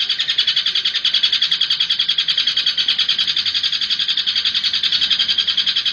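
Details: Long-tailed shrike song used as a lure for other shrikes: a fast, scratchy, high chatter of rapid repeated notes, about three or four a second, running without a break.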